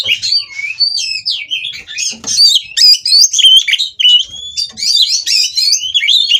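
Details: White-rumped shama kept at a breeder's aviary, mating song meant to provoke rivals to sing; fast varied whistles, rising and falling slurs and sharp chips packed closely, with faint low thumps beneath.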